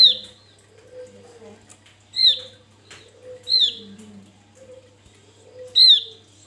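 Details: Javan grey-throated white-eye, used as a lure, giving clear, high, down-slurred whistled notes about every one and a half seconds over a low hum and soft lower sounds.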